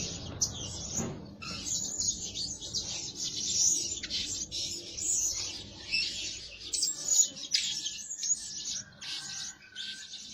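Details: Lure Blue-crowned hanging parrot, described as calling by day and night, producing continuous high-pitched twittering and sharp chirps that rise and fall in intensity over ten seconds, with a low background hum.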